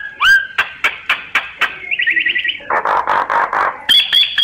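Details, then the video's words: Lure calls of a myna for survey work: a rising whistle, evenly spaced sharp clicks, a quick buzzy trill, several rough chattering notes and a high whistled note at the close. "Tiếng chim sáo, Tiếng Chim Sáo mồi, kích bổi."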